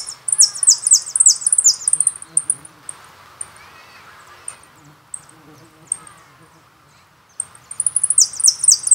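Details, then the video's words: Contest-type jilguero song: bursts of rapid, very high, sizzling trilled notes open the recording, scattered sharp high chips follow through a quieter middle, and another fast buzzy burst returns near the end. "Jilgueros una pasion"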